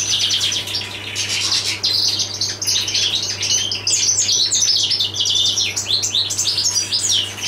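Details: European goldfinch ('jilguero del paso') in full song, rapid sweet twitters and brief nasal, buzzy notes strung into long unbroken phrases, against a faint steady background hum.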